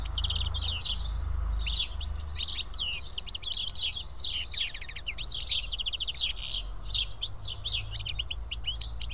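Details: Flock of house sparrows feeding together at Karyotissa, Greece, chattering steadily: overlapping sharp chirps and short rattling runs fill the whole stretch, with a deep low rumble underneath.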